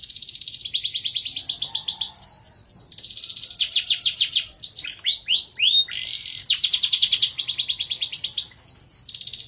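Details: Gacor canary singing in the luxurious cengkok mewah style: long fast trills of repeated rising notes, broken by quick upward-sweeping chirps, then further rapid rolling trills, loud and continuous.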